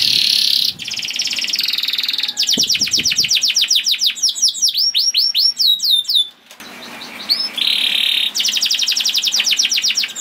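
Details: Canary song meant to coax caged canaries into singing: varied bursts of fast high trills, a run of sweeping rising and falling whistled notes mid-way, then renewed rolling trills, delivered almost without break.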